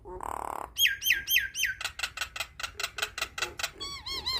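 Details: Nias hill myna song used to teach young birds: an opening harsh buzz, then a run of looping whistled notes, fast sharp clicks about four per second, and closing wavy whistles.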